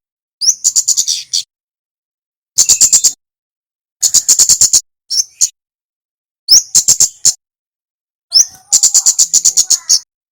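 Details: Active male flowerpecker from Java, recorded as master audio for training birds: repeated bursts of fast, sharp, high-pitched ticking, some bursts starting with a short upward-slurred note, spaced about two seconds apart.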